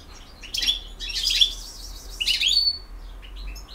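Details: European goldfinch of the Bosnian type, field-song style, giving rich, rapid twittering phrases with ringing high notes and a slurred whistle, in two main bursts.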